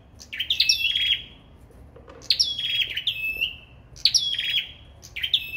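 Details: Sâu đầu đỏ in a singing contest: three phrases roughly every two seconds, each a cluster of high chirps sliding down into a drawn-out steady whistle that fades out.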